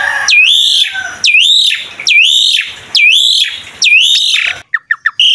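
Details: Asian pied starling in mompa-style singing for prompting young starlings: five loud dipping-then-rising whistles about a second apart, then the rhythm breaks into three quick short chirps and a higher clipped note.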